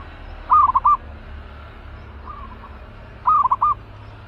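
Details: Aggressive zebra dove kept in a cage for trapping, giving two clear bubbling coo phrases about three seconds apart, with a faint distant coo between them.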